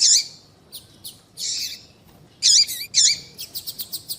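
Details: Female double-collared seedeater calling to males: loud raspy high notes alternating with drawn buzzy ones, ending in a quick string of short evenly spaced ticks.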